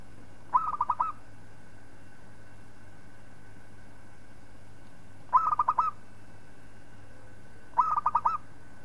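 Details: A local zebra dove's song for tutoring other birds: three separate phrases of quick, rolling coo notes, five or six per phrase, spaced irregularly a few seconds apart against a quiet background with a low hum.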